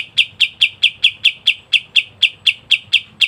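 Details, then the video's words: Caged cotton bird (kapas tembak) delivering a steady train of short, sharp, bright chips, about twelve evenly spaced notes in three seconds, over faint low hum. "KAPAS TEMBAK GACOR NGEBREN RAPAT"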